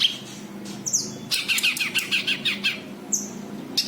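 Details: Cucak kinoi white-eye calls for luring untrained birds: thin downslurred chips bracket a burst of bright, jumbled, rapid twittering notes.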